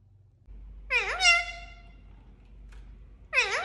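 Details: Indian ringneck parakeet mimicking, its nasal voice bending down then up like a drawn-out meow, followed by a pause and another sliding syllable at the end, faint hum beneath.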